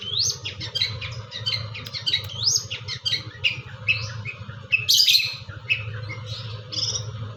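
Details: Long-tailed shrike, East Java, Indonesia, in full isian gacor singing: varied scratchy notes and arching whistled phrases repeated in quick succession over a steady low background hum.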